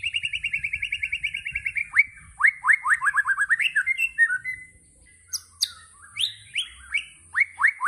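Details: White-rumped shama (murai batu) firing a tembakan burst. A rapid train of repeated whistled notes gives way to quick upward-sweeping phrases and a short pause, then loud high whip-like notes and falling slurs every half second.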